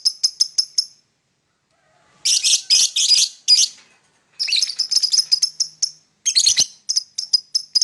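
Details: Morning singing and chirping by a lovebird, quick thin ticking notes alternating with bursts of rough, buzzy chatter and sharp high chirps, separated by short pauses.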